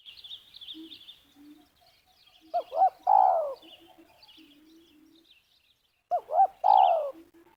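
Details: Spotted dove lure at a ground snare in Liwa, West Lampung, giving two phrases roughly three and a half seconds apart, each a pair of quick hoots and a long falling coo; faint high twittering from another bird opens the recording.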